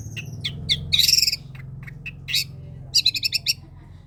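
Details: Long-tailed shrike singing, played as masteran and pancingan to coax reluctant shrikes to sing: scattered bright chirps and harsh bursts, ending in a quick run of six sharp repeated notes over a steady low hum.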